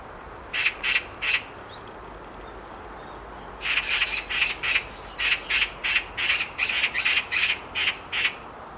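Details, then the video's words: From a tree branch, a black magpie gives three harsh, grating screams, falls silent for over two seconds, then bursts into a long rapid run of about a dozen rasping calls. "Black Magpie Screams on a Tree branch"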